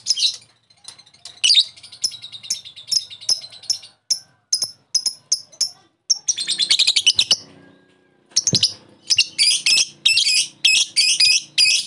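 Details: Lure recording of a lovebird calling its rival, meant to make another lovebird chatter: scattered sharp high chirps, then a dense buzzy chattering run, a pause, and a closing series of strident repeated squeaks.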